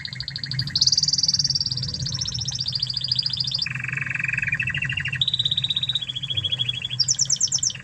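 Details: Spanish Timbrado canary of Spanish origin singing a tutor song of sustained rolling trills, each held a second or more, switching between high metallic and lower buzzy pitches, with a final very high rattle.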